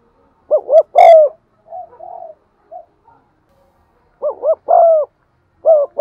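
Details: Spotted dove giving "gù" and "thúc" cooing, a recording played to excite and lure other birds. Short arched double coos lead into a longer drawn-out coo, and the phrase repeats twice more after a pause. Softer low notes come in between.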